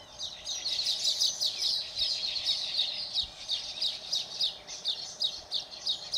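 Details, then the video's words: Several baya weavers chattering in Phaltan, Satara district, Maharashtra, India: a busy stream of sharp, scratchy high chirps in quick rhythmic pulses, steady throughout, over a faint low hum. "Baya Weaver"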